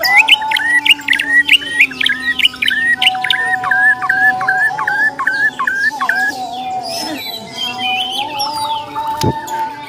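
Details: Bornean white-rumped shama, a fighter, giving its challenge song meant to test a rival's mental strength: a quick series of repeated hooked whistles, later softer scattered notes, all above a constant droning background tone.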